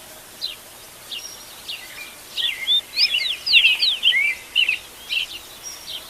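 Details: Dawn birdsong recorded live in nature: quiet, scattered notes at first, then a lively run of rising and falling whistled chirps in closely spaced pulses during the second half.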